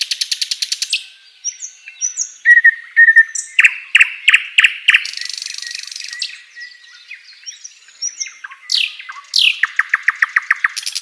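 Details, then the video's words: Asian brown flycatcher singing actively for songbird training: it opens with a fast rattling trill, moves into whistled notes and sharp clicks, then ends with sweeping upward chirps and another rapid trill. "Burung Sikatan Londo Gacor"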